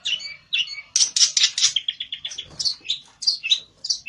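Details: Olive-backed tailorbird, locally called pelentet, agitated and singing to seek a rival: fast, varied high chirps and short sharp notes in quick bursts, with a rapid run of clipped notes in the middle.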